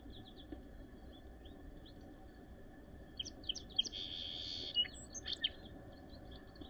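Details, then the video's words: Song sparrow, late snowy April 2023 in Northern Ontario, giving a hurried, scratchy series of high chips and buzzy notes with a broad noisy burst midway, over a steady background hum. "Song Sparrow Sings"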